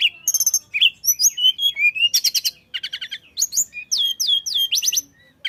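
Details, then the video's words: Persistent tledekan flycatcher song, used as a lure for other birds to sing: quick high chirps, a slurred whistle, dense buzzy trills and loud sweeping notes delivered at a rapid pace. "kicau tledekan gacor ampuh untuk pancing bunyi"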